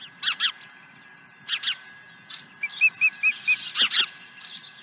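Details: Osprey swooping to its nest at Dunrovin Ranch with a second fish, 23 April 2020; a quick string of about six piercing whistled notes follows paired chirps from other birds, with more twittering at the end.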